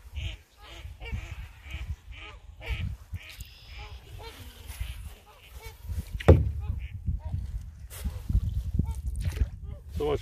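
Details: A couple of mallards flush from a creek ahead of a paddling canoe, giving a run of nasal, harsh quacks in quick succession, over low rumbling wind and a man's voice.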